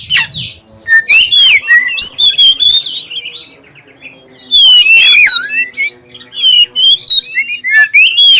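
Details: Black-breasted oriental magpie-robin song, clear voice, used to prompt other magpie-robins to sing: loud whistled phrases and rapid varied notes between 2 and 8k, a short pause midway, then renewed bursts of sweet slurred whistles.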